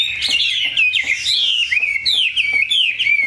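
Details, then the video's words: Short burst of bright song from a tame caged Chinese hwamei: repeated clear whistled phrases, each sweeping down then up, delivered loudly and rapidly. "Mi họa thuần, bộ to, chất giọng cực hay"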